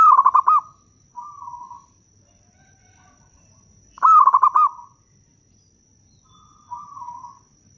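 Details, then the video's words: Local zebra dove singing strongly as a lure for wild doves; two loud rattling trilled phrases about four seconds apart, each followed by a softer purring coo, above faint low background noise. "Perkutut lokal gacor suara bagus - pancingan perkutut paling jitu"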